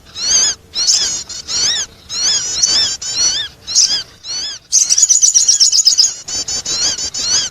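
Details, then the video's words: Sogon bird calling to attract: a series of shrill, arching whistles at about two per second, a burst of rapid high trilling, then more arched notes. "the sound of the sogon bird attracting noise"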